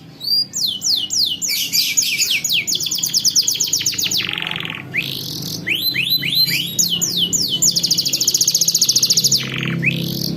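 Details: Long-singing canary performing a rolling tutor song for young canaries: runs of sharp falling whistles, quick dense trills, two dips into lower sliding notes, and a faint low hum in the background.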